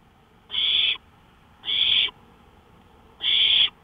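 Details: On a porch at 1:53 AM, May 5, 2013, an owl makes three evenly spaced, harsh, airy hisses about 1.3 seconds apart in otherwise quiet night air.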